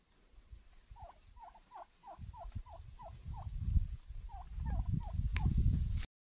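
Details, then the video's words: Wild turkey calling: a series of about a dozen short, clipped, dipping notes, roughly three per second, with a brief gap before the last few, over heavy low rumbling background noise. "Wild Turkey Bird Sound"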